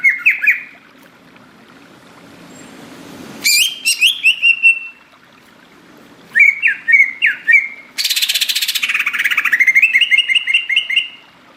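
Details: Greater green leafbird song of bouncy, repeated slurred whistles in short bursts, then a loud, dense buzzing trill of rapid pulses that runs for several seconds, over a low background hum.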